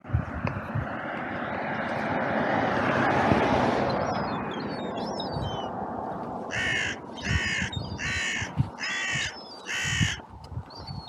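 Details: A carrion crow on a clifftop, where crows are fed nuts thrown a few at a time amid seagulls, gives five harsh, hoarse caws in a quick run, about two-thirds of a second apart, after an opening rush of wind or surf.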